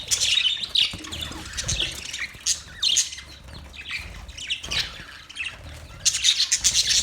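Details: Budgies chatter in busy bursts of harsh, high squawks and chirps, rising and falling in loudness every second or so.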